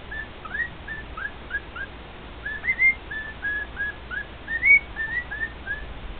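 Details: Male pet cockatiel singing indoors to two other cockatiels: a series of short whistled notes, some rising and some flat, spaced irregularly at roughly two or three per second, over a steady background hiss.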